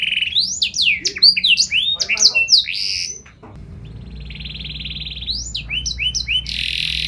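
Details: Canary in energetic song with special phrasing, intended to prompt other canaries to reply: a jumble of fast sweeping whistles, then a softer sustained buzzy roll, closing with a few swoops and a harsh buzz.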